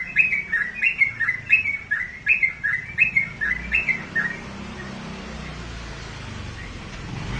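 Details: Caged sooty-headed bulbul sings about eight sharp, bouncing two-part chirps in four seconds, then falls silent, leaving only low room noise.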